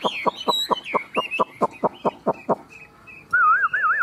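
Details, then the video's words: A caged Chinese hwamei in a two-bird singing contest delivers a rapid series of about a dozen sharp down-slurred notes. After a short pause come loud, wavering whistled phrases. "Họa mi hót đấu"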